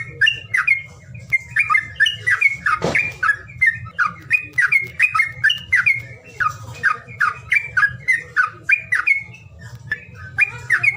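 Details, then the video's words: Bird calling sound meant to rouse birds that refuse to sing: a long, steady run of sharp chirps, about two to three each second, one brief louder burst near the start, with constant low droning noise beneath. "SUWARA PANGILAN BURUNG MALES BUNYI"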